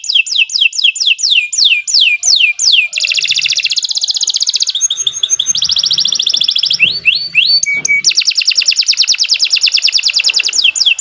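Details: Canary singing as a lure for training birds: series of descending whistled sweeps, long rapid trills and buzzy rattles, brief chattering notes, then another extended fast trill.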